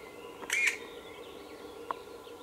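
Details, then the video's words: Black woodpecker chick calling for food at Ås, Norway, 25 May 2017: two quick, harsh, raspy notes close together, then one faint short note a second later, over a steady background hum. "Black Woodpecker"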